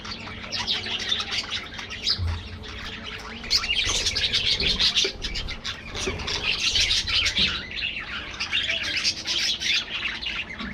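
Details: Budgerigars in an aviary colony: continuous overlapping warbling chatter of many birds, with quick chirps and scratchy twitters packed closely together throughout and no clear pauses.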